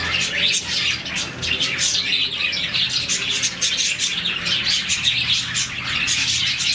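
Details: Morning chirping from a colony of about 40 budgies, the call given when they seem happy. Lively, high-pitched twittering and clear chirps overlap continuously, with a faint low hum beneath.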